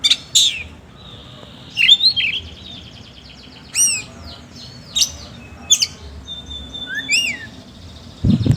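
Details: Oriental magpie-robin in full song with a rough-note style, short bright whistles and steep frequency sweeps spaced through the recording, ending with a brief low thump.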